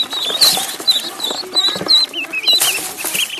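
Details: Duckling in a pond giving high, thin peeps with wavering pitch, scattered across the moment amid splashing, flapping and broad rustling noise.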